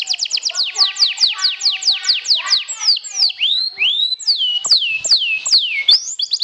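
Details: Champion sobek canary provoking a rival: rapid series of falling whistled notes, then slower rising and falling arched swoops, lively and high-pitched throughout.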